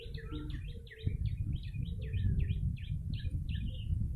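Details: Yellow-bellied prinia call used to lure birds, lively: a fast run of short, sharp chirps sweeping down and up, roughly three per second, over a steady low rumble of background noise.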